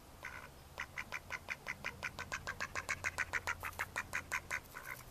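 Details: Mallards in May 2014 giving a long rhythmic series of about twenty short quacks, several per second, loud and regular, over a soft low hum.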